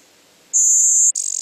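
Blue-winged Warbler: a very high, thin, steady buzz, then a lower, harsher, rattling buzz, the two-part 'bee-buzz' song. Nothing else is heard.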